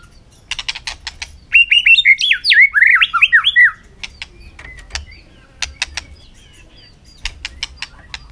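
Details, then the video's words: White-rumped shama singing a contest song in the afternoon sun: a rapid rich phrase of looping whistled notes, with sharp dry clicks before and after. "chòe lửa căng lửa hót đấu siết nắng chiều"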